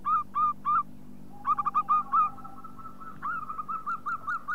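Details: Local zebra dove (perkutut) calling: soft, rounded cooing notes in short rhythmic bursts, with a steady low hum underneath and a faint long level tone mid-way.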